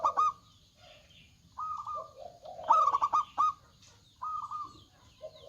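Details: Local zebra doves singing with big voices, several birds trading phrases: short sharp coo bursts, level trilled notes and low purring coos overlap in a lively exchange.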